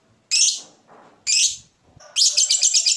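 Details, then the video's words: Fighter lovebird, ngekek style used to provoke rivals into singing: two loud harsh high chirps about a second apart, then the start of a fast scratchy chattering trill. "Lovebird Fighter ngetik ngekek panjang - Bikin musuh ikut bunyi"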